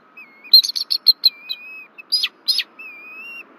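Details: Bald eagles at a nest in Rome, Georgia, 1 February 2024, sound alarm at an intruder flying over their tree. A stuttering chain of shrill piping notes mixes with long, level, thin whistles and a few harsh squeals.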